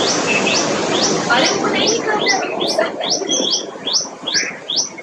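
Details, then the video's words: Tailorbird, a bird of parks, gardens and wooded areas, giving loud high calls: a fast series of sharp down-slurred notes repeated about twice a second, against a steady hiss of background noise. "Tailorbird Call"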